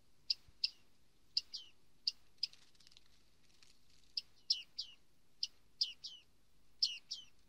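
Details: Bearded reedling in reed beds: a series of short metallic 'ping' notes, often in quick pairs, a few seconds apart, some with a bent downward tail, over quiet background.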